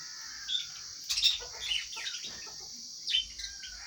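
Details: Lovebirds while eating: scattered shrill, high chirps and short squeaky notes in irregular bursts, over a constant high hiss in the background.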